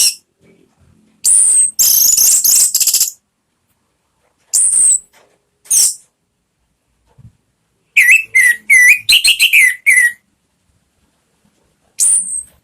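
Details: Lure song from a kept orange-headed thrush, ngeplong style: a long harsh high rattle, separate thin piercing whistles, then a quick series of looping, clear mid-pitched whistled notes and a final high whistle.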